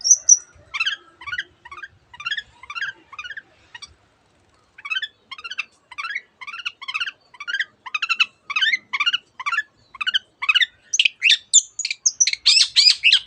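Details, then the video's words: Long-tailed shrike singing imitated phrases, canary among them; fast, steady trains of short buzzy notes that repeat several times a second, then end in dense, loud high chattering. "cendet gacor nembak nembak rapat isian kenari dan banyak jenis burung yang masuk masteran"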